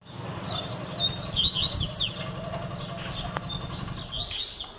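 A Double-collared seedeater sings quick, high, chirping and twittering notes in irregular bursts, over a steady low mechanical hum.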